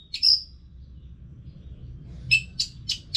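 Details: Orange-headed thrush sound for training caged birds: one bright, high whistled note, a long silence, then several short sharp chirps spaced apart, fairly quiet against low background hum.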